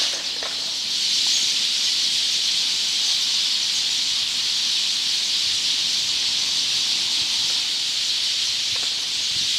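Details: Evening roost gathering of a big Eurasian tree sparrow flock in a park tree, heard from right below: an unbroken, hissing wall of overlapping high chirps, steady throughout, with a few faint lower clicks.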